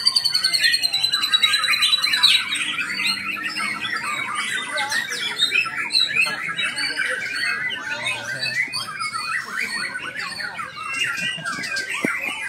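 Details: White-rumped shama singing a dense, varied stream of whistles, chatters and rapid warbled phrases, loud at first and then steady throughout, with a faint low hum underneath.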